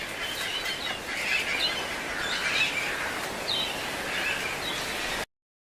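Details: Endangered Hawaiian Millerbird giving quick, scratchy chirps in loose bursts, mid-to-high pitched, over a steady hiss of wind or surf.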